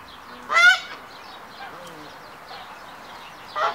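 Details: A male hybrid Canada goose courts a female with the triumph ceremony during pair formation. One loud, nasal honk sounds early, faint goose murmurs follow, and a second honk comes at the end.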